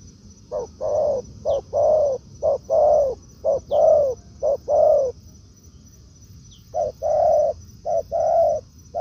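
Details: Spotted dove met in the forest by a decoy bird; a long series of paired hollow coos, short then long, about one pair per second, a pause near the middle, then more pairs and faint high chirps.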